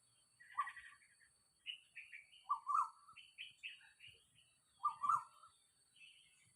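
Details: Early morning Asian koel, recorded wild beside a house on 4 October 2022 at 06:40: spaced, rising two-part whistled notes and short chattering phrases, repeated every couple of seconds in quiet surroundings.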